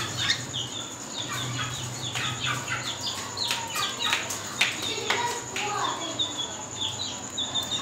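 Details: Cockatiel whistling when ready to breed: a busy series of short, sharp whistled chirps and clipped upslurred notes, repeated irregularly, over a steady low hum and hiss.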